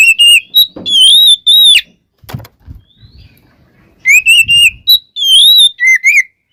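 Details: Oriental magpie-robin (kacer) in full, varied song used as a lure to rouse other birds: loud pure whistles around mid-high pitch, sliding and wavering, in bursts with short pauses and a couple of dull knocks between.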